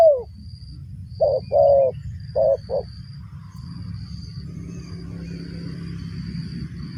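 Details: Spotted dove cooing as a trapping lure. A falling coo is followed by four short, mellow notes in the first three seconds. After that only a steady low rumbling noise remains.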